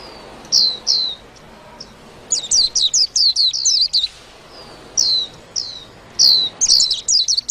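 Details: Two short high chirps open, then a white-eye bursts into fast chirpy song, with quick strings of thin falling notes alternating with brief pauses.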